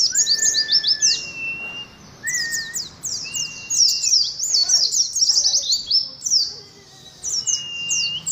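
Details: Oriental white-eye song in the competitive ngalas style: long runs of fast, high, jumbled twitters. Flat, drawn-out whistles recur at two different pitches. A few brief gaps break up the lively chatter.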